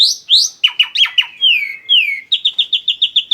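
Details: Song of a black-winged starling used to lure other birds: rising whistles and harsh descending strokes, two long downslurred whistles, then a neat series of evenly spaced bright chips.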